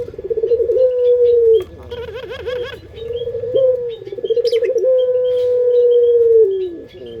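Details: Local puter pelung dove from Indonesia with its sought-after lure song: long, low, steady coos separated by quick pulsing, throbbing notes, sung twice and more, with soft high chirps from other birds.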